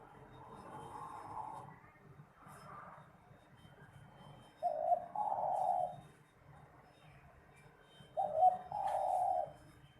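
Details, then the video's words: Spotted dove singing for competitions: after soft opening notes, two loud phrases, each a short clipped coo followed at once by a longer hollow coo, about three seconds apart. "Seni suara burung terkukur/derkukur suara sedap untuk pertandingan"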